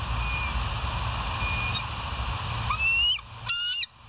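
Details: Bald eagle recorded by a live nature cam at West End, 8 August 2023, 7:30; faint thin whistles, then a sharp rising squeal and a brief harsh, ringing piping note near the end, over constant low rumble.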